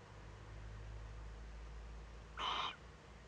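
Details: A Eurasian eagle-owl owlet makes first contact with an adult at a webcam-monitored nest in northern Rhineland-Palatinate, Germany, 15 May 2013. A single short, harsh, breathy hiss sounds over a low background hum.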